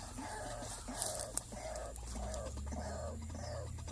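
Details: White-breasted waterhen heard while being trapped, a bird snared around the neck: evenly repeated hoarse, croaking notes about every half second, with a couple of sharp clicks and background rumble.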